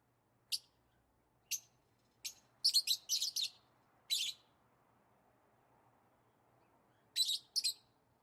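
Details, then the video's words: Shrill chirps from lovebirds, a sound made when excited, playing or eating: single notes, then a quick cluster of rasping chirps, a pause, then a final pair. "Lovebirds Chirping Sounds"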